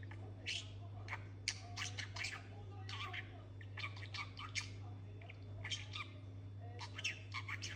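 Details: Budgerigar kept as a talking pet, babbling in fast scratchy clusters of chirps and clicks, near continuous, with a steady background hum.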